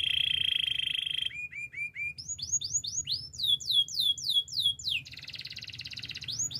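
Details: Spanish Timbrado canary singing for training: a steady ringing trill, then short repeated low sweeps rising into a long series of swooping whistled notes and a pulsed roll, with a faint low hum beneath.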